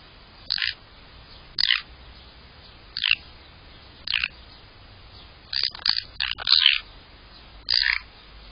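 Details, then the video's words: Magpie in a garden calling toward the camera: short harsh, noisy bursts repeated at uneven intervals of about one second, some doubled, with quiet gaps between. "Magpie speaks to camera"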